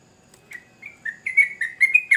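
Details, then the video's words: Sooty-headed bulbul song: short whistled notes around two kilohertz... "Trucukan Gacor Ngamuk Bikin Candu Semua Burung Trucuk pasti Nyaut"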